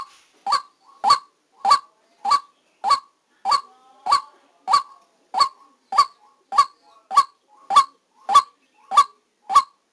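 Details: Vietnamese trapping recording of a decoy white-breasted waterhen calling persistently: about seventeen harsh, honking notes in ten seconds, highly regular, each a short strained burst with a sharp upward inflection, little else audible.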